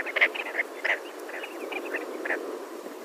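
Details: Sandgrouse calling, short throaty clucking and gurgling notes in irregular bursts from several birds, with a low steady hum beneath.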